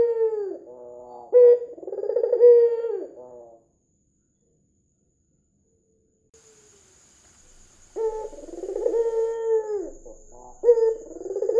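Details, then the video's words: White dove with red eyes, a lure call meant to make doves coo. Two rolling coo phrases with sharp opening notes are broken by a few seconds of silence. A thin, steady high whine runs through the second half. "PANCINGAN PUTER PUTIH MATA MERAH GACOR"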